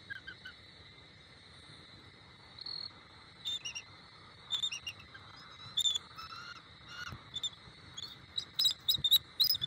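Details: Bald eagle pair, the adult female and male, at their nest in Southwest Florida around Thanksgiving. Scattered high, thin chirps and short piping notes come in loose bursts, growing busier toward the end over a steady high insect drone.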